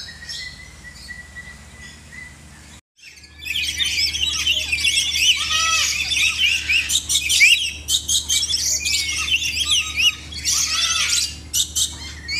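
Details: A collection of lories calling together: dense, harsh, buzzy squawks packed with rapid rising and falling notes, overlapping almost continuously after a quiet start, with a few lower mellow notes among them.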